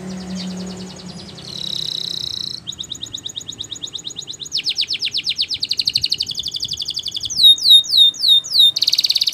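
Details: Spanish Timbrado canary song for training, built from rapid tours that each change: a buzzy trill, pulsed high rolls, quick descending sweeps, then looping hooked notes and a bright final roll, growing louder throughout.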